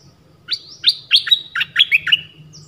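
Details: Dok Taeng bird used as a decoy, calling for a mate in the forest, recorded 13 January 2021; one rapid phrase of about eight bright, slurred notes stepping downward, with a faint low rumble beneath.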